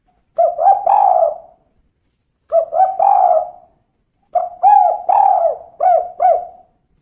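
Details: Three cooing phrases from a female spotted dove, kuk 2 type, each built from short hollow notes leading into a longer, softly wavering coo, with silent gaps of about a second between phrases.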